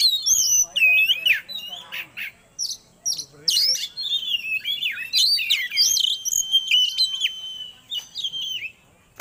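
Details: Magpie-robin (kacer) song played to bring birds into breeding condition: a rich varied stream of whistled, slurred notes and sharp chirps, some long level whistles, phrases rapidly changing, with short pauses between bursts.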